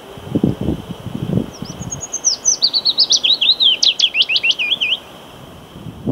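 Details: Willow warbler singing on 8 May 2022, a song used close to a visible female and accompanied by wing shaking. A sweet, descending cadence of slurred whistled notes lasts about three and a half seconds. Low thumps are heard before it.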